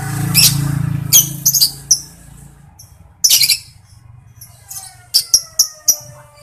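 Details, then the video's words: Lovebird call in ngekek and ngetik variations: harsh high clipped bursts and sharp ticking notes at intervals over a low steady hum. "LOVEBIRD NGETIK dan NGEKEK"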